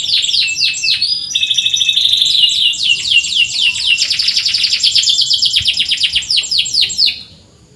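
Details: Canary tutor recording for birds that rarely sing: a long rapid high trill of repeated slurred notes, changing phrase types several times before stopping abruptly.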